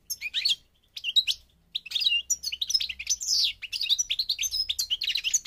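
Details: European goldfinch from Morocco, North African subspecies parva: a few short chirping phrases that build into an unbroken flow of high, tinkling twitters, slurred notes and buzzy trills.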